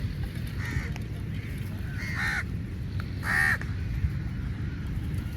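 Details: A large number of crows fighting over meat; three hoarse, arching caws spaced about a second apart stand out against steady low background rumble.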